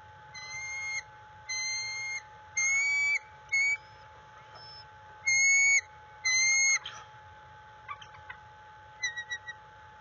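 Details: Bald eagle at its nest on a February 1, 2022 morning, stressed by a threat nearby while a second adult perches above. High, thin whistled notes come in quick bursts of a few seconds each, about six bursts, then softer scattered chips over a steady electrical hum.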